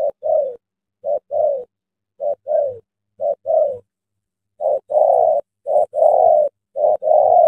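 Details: Spotted dove used as a tame decoy to draw a big wild dove into a trap at dawn, Vietnam: soft paired coos with pauses, then fuller, louder drawn-out coos toward the end.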